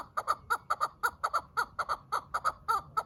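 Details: Farmed quail giving a run of clipped, raspy clucks, about two per second in uneven spacing, each note sharp and nasal, over a quiet low background.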